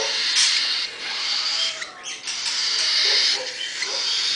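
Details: Baby cockatiel chicks begging with harsh, hissing rasps in quick repeated bursts.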